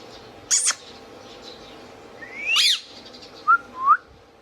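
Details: Pet Indian ringneck parakeet with a harsh broad squawk, a rising whistle ending in a rough burst, then a short low note and a brief upward whistle.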